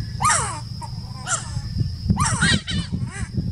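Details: Giant wood-rail singing at Laguna del Diario, Uruguay, December 2018: a few harsh, descending screeching notes in separate bursts, with a steady high whine and strong low rumbling noise underneath.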